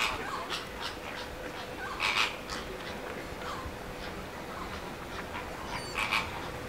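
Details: Greater flamingos at WWT Martin Mere in Lancashire: brief rough honks, one pair of bursts near the start and another near the end, with scattered softer calls between and constant background hiss.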